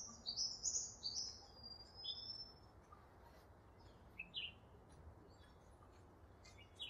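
Double-barred finch giving thin, high chirps and short slurred tweets in quick bursts, some notes falling in pitch, over a faint low hum.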